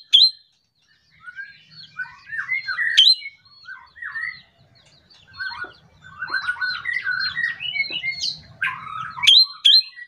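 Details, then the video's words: Morning song of an ashy drongo, meant to get other birds singing: bursts of jumbled whistles, squeaky slurs and chatter separated by brief pauses, with occasional sharp high clicks and a faint low hum. "SRIGUNTING KANTIL RAJA GACORNYA PAGI HARi || bikin burung lain ikut gacor"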